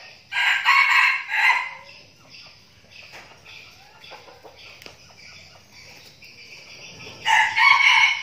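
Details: A flock of decoy red junglefowl trained for forest use in Binh Phuoc, Vietnam: a sharp crow opens, then scattered soft clucks and wing noise, then another crow bursts in at the end.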